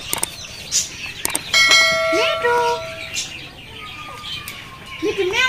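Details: A talking Indian ringneck (rose-ringed parakeet) mimics speech in short, scratchy, voice-like phrases mixed with sharp clicks and clear, flat whistled notes; bell-like ringing tones in the background.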